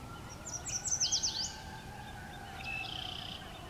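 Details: An olive-sided flycatcher (Contopus cooperi) sings a burst of sharp, high, sliding whistled notes, then a drawn-out level whistle about a second later, over a faint steady hum; New Leaf Trail, Jackson County, Michigan, 30 May 2019.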